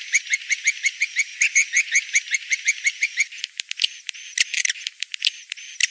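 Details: Edible-nest swiftlet rainy-season mating lure call: an even series of quick high twittering chirps about three per second, followed by irregular sharp clicks and a thin whistle.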